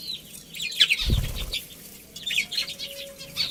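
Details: Budgerigars from a colony with a breeding pair give high, twittering chirps, interrupted by a low thump of wings, then soft chattering resumes.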